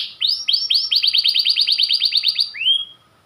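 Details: White panda canary singing a training master phrase. A rapid series of rising-then-falling notes repeats about six times per second, then ends with one slower upslurred whistle and silence.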